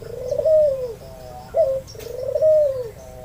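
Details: White albino Barbary dove with red eyes, used to prompt reluctant or learning doves to answer. Two long, arched, purring coos separated by a short clipped note, low and mellow, with a quiet high chirping in the background.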